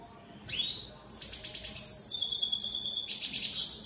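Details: European goldfinch song from opal split satiné birds: an opening upward whistle, then a sustained, dense, buzzy twittering trill at very high pitch, continuing without pause.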